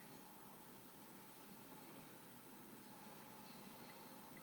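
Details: Quiet indoor hiss and faint electrical hum continue steadily, with a small click at the very end and no animal calls.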